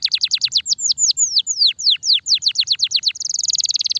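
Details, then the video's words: Kenari starblue, a canary, singing long and lively as training material for songbirds: a fast run of loud descending whistled notes, then a rapid buzzy trill near the end. "kenari starblue gacor durasi panjang"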